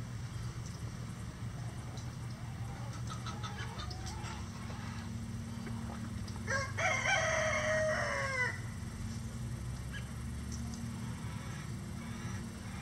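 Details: Rooster crowing on a farm flock of at least 20 roosters of standard and bantam chicken breeds that crow all day; one harsh, drawn-out crow of about two seconds midway through, amid steady low rumbling background noise and faint distant calls.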